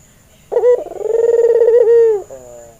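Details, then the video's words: ['Albino Barbary dove, white with red eyes, a male in breeding mood used as a training lure. A single coo opens with a clipped burst, then a long purring tremolo. It dips at the end, and a soft short note follows.'] "Pancingan Masteran Burung Puter Bahan"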